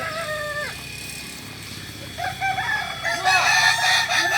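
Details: A Kokok Balenggek rooster at group crowing training in Solok, West Sumatra ends a level crow that drops at its close. Another bird then starts a rising series of short stepped notes.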